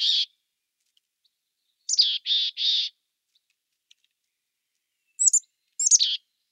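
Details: Mountain chickadee call series: a single high buzzy note, later a sharp slurred note followed by two harsh buzzy dee notes, then two thin chirps ending in a descending buzzy note, with silence between phrases.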